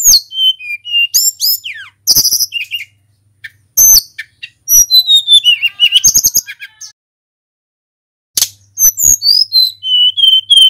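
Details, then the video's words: Energetic Hill Blue Flycatcher song from a local bird, meant to get other birds singing: clear descending whistles, bursts of rapid high twitters and clicks, and a pause, then more sliding whistled phrases. "SUARA TLEDEKAN GUNUNG FULL GACOR | Pancingan burung sulingan bahan supaya EMOSI & cepat bunyi"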